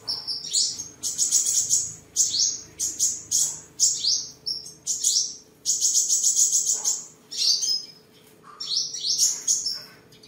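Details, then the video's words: Home-kept tame sunbird in Vietnam's Đồng Nai province, 23 July 2022, singing amid display and sparring: fast, shrill, stuttering trills and sliding high notes in long runs with a quieter pause near the end. "Chim Hút Mật 7 Màu Thuần Ngày 23/7/2022 Hót, Múa, Đấu Đá"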